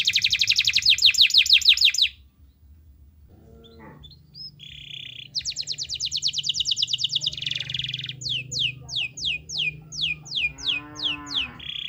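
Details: Canary song used as a lure to prompt a lazy canary to sing: a fast rattling trill, a pause, then pure whistled notes, a long run of rapid repeated notes and a series of sweeping downslurred whistles, with a low hum beneath.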